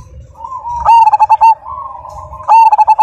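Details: Zebra dove (perkutut) of the Majapahit type, prized for a loud, big voice, singing a low cooing phrase: a drawn-out hum followed by a rapid burst of short, pulsed coos, the burst repeated after a pause.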